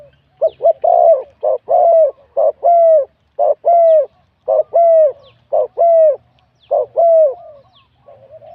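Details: Wild-caught spotted dove singing in a Thai cooing competition, middle-to-big voice, steady rhythmic phrases of short doubled notes each followed by a long mellow falling coo, about one per second.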